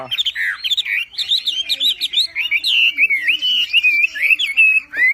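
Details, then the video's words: Javan pied starling in full song for a masteran recording: a harsh raspy opening, then a continuous, fast, jumbled series of twisting whistled notes and chatter with short gaps, closing with a rising whistle. "MASTERAN BURUNG WAMBI FULL TEMBAKAN GACOR DOR"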